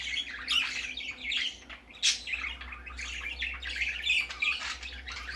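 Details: Young budgerigar venturing out for the first time, giving rapid scratchy chirps and squawks in near-continuous chatter, with one sharp louder note partway through.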